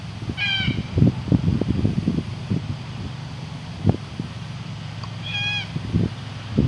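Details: Wild, shy Red-tailed black cockatoos in the Whitsundays give two loud, ringing, slightly rising calls about five seconds apart, over low rumbling thumps and background noise.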